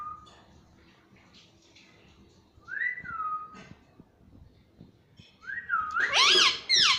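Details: Pet ringneck parrot indoors; soft descending whistled glides repeated every few seconds, ending in a loud burst of bending nasal talking syllables.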